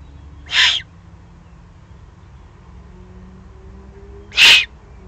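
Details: Juvenile Eurasian eagle-owls, excited, from the Eifel, 21 June 2020: two drawn-out, scratchy hissing calls roughly four seconds apart, the second louder, against a soft low background murmur.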